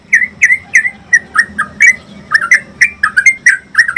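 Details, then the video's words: Song of a Yellow-vented Bulbul (trucuk), the long 'ropel' style used to train caged birds to sing. Short burst of bubbly, clipped chirps, some doubled, about three per second, slightly uneven in rhythm. "Pancingan dan masteran trucuk ropel panjang"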